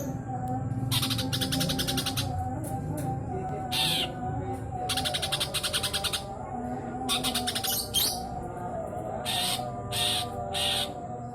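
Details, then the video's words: Greater green leafbird (cucak ijo) giving nyrecet chatter: repeated bursts of fast, harsh, rattling pulses, each lasting about a second, separated by short pauses, with a constant low droning hum underneath. "cucak ijo nyrecet"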